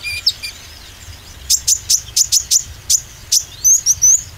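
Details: Oriental white-eye lure for green and speckled varieties: a steady series of about ten shrill chirps, then a few thin whistled slurs at the end.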